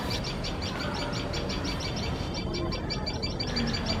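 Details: Sharp, high-pitched chipping from a tailorbird pair alarmed by a male cat near their nest. Notes come in quick, regular succession, briefly pausing and resuming, over a low hum.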